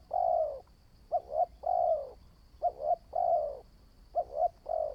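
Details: Spotted dove in decoy training opening with a long soft coo, then three more phrases, each a pair of quick clipped notes and a lengthened low coo, about every one and a half seconds, over a faint steady whine.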